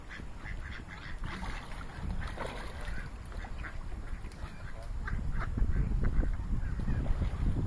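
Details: Mallards at Tavistock Meadows Canal, Devon, England, give scattered nasal quacks and softer chattering notes, several a second at times, over a steady low rumble of wind or water.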